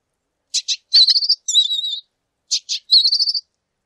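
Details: Lively lesser goldfinch song with two quick chips leading into a rapid, pulsing trill and wavering whistled notes, the phrase repeated twice.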